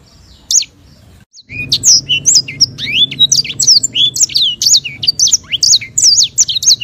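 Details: Sanger bird, an African relative of the canary, singing a long rolling tutor song used to train songbirds: after a brief pause, a dense stream of clear whistled slurs and trills, rising and falling, with a faint low hum beneath.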